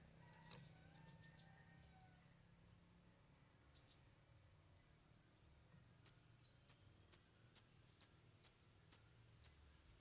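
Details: Long-tailed Shrike sings a song said to contain three mimicked 'filler' phrases: faint high chirps and twitters, then eight sharp, piercing high notes repeated about twice a second, over a low background rumble.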